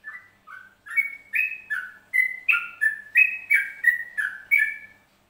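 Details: Yellow-vented bulbul from Trucuk, Central Java, Indonesia, singing a lively run of bubbly, slurred whistled notes, rising and falling, about ten phrases in quick succession with no other sounds.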